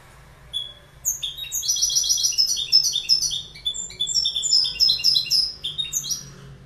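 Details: Goldfinch in full song: a long, fast, liquid twittering of bright, tinkling, jingling high notes, rising and falling in rapid sequence for about five seconds.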